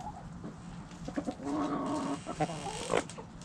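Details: Backyard chickens, hens and roosters, uttering a sustained, buzzy, harmonic squawk lasting about a second, followed by several short separate clucks, with low background rumble throughout.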